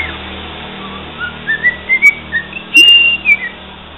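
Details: A cockatiel whistles pieces of the Santos club anthem. Pure, tuneful whistled notes step upward, ending in a long held high whistle and a short final note.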